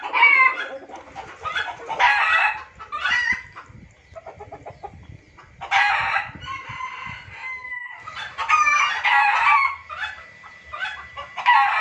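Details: Junglefowl heard on a lure recording meant for trapping. Rough, scratchy squawk bursts come in groups, and a thin steady whistle-like tone runs between them.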